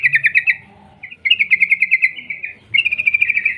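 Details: Sooty-headed bulbul singing chatty rolling trills to lure other bulbuls into song: three phrases of quick, bright repeated notes, the middle one longest and gently falling, with faint low background rumble.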